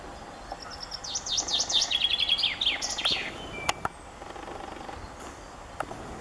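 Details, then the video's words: Common chaffinch singing in late April, one bright two-second song: a descending cascade of quick notes that speeds up and ends in a flourish, followed by faint hiss and a few clicks. "Zięba śpiew chaffinch birdsong"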